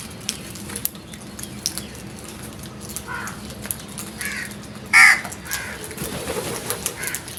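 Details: Loud noise from frightened crows: a few harsh caws, the last one strongest and abrupt, with scattered clicks and low background hum between calls.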